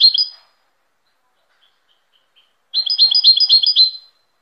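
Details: A short twitter from a European goldfinch, then near silence with faint chips, followed by a longer, fast run of repeated bright, tinkling notes lasting over a second.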